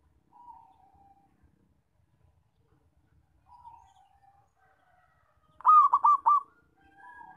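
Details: Loud zebra dove call, played as a lure for trapping: one strong, rolling burst of four throbbing coo notes, with fainter, drawn-out, slightly falling whistled notes before and after it.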